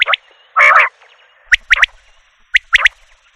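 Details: Common quail: a loud rough burst, then two quick sets of sharp, high, clipped triplet notes.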